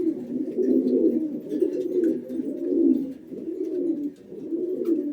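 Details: Red-breasted pigeon giving deep, throaty coos indoors, each rolling phrase lasting about a second and swelling then fading, repeated roughly once a second.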